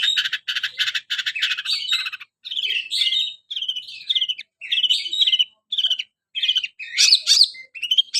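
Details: Canary-style song of a long-tailed shrike: a fast buzzy trill followed by clear whistled warbling phrases, rising and falling in quick bursts.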